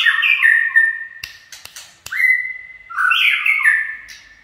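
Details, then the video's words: White-rumped shama in chạy cầu style, giving a bright descending warbled phrase, a few dry clicks, a long level whistle, and another rich stepped phrase that fades out. "Chích chòe lửa chạy cầu shama run"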